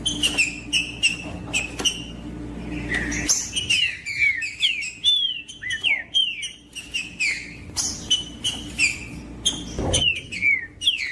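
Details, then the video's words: Green-winged saltator female calling to stimulate a male that is not singing, with singing heard as well: scattered sharp chips first, then a busy run of descending whistled slurs and looping notes, chips continuing throughout. "PIADO DE FEMEA MACHEANDO🟢DESTRAVE SEU TRINCA FERRO FRIO🟢 COM TRINCA FERRO CANTANDO"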